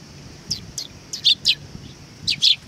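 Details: Sparrows arriving to be fed at a Tenmangu shrine, 18 August 2020: sharp, high, downward-slurred chirps, seven in quick succession, some doubled, with faint background hum.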